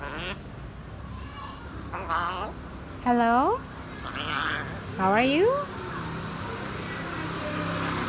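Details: Grey parrot saying hello: two drawn-out, voice-like rising calls with rich harmonics, among a person's spoken greetings asking how it is.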